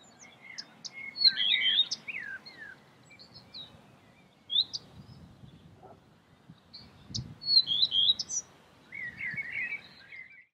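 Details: Common redstart in Escherange, France, in May 2016 sings two short, high phrases about six seconds apart, each opening with a few clear notes and ending in a quick jumbled twitter, over a faint low rumble.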